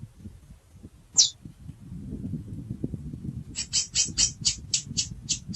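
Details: Female chestnut-bellied seed finch peeping and calling: one sharp high chip, a pause, then a rapid run of about ten short, high, dry chips over two seconds, with faint low rumbling behind.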